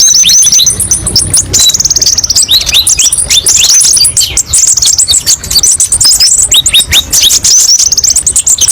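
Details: Kolibri ninja (olive-backed sunbird) master song with many sharp 'tembakan' variations: a dense, unbroken stream of very high chirps, buzzy trills and downslurred whistles over nearly nine seconds.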